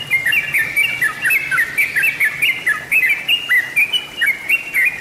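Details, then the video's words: A yellow-vented bulbul's song for luring birds: bright, bubbling, warbled chirps in rapid repeated groups, steady and loud throughout. "Terbaru masteran atau pancingan suara burung trucuk/trucukan/crukcuk/jogjog"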